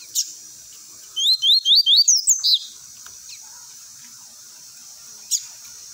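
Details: Coleiro, or double-collared seedeater, in tui tui song for tutoring young birds; a quick series of about seven bright upward-sweeping whistles ending in a sharper burst, framed by single short high chips before and after.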